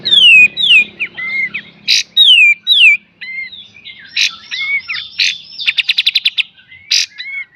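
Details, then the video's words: Pied triller master song for training cage birds, beset and tembak style: clear downslurred whistles repeated in pairs, sharp explosive bursts, a jumble of twisting notes, then a quick run of seven buzzy notes. "KAPAS TEMBAK FULL BESET DAN TEMBAK"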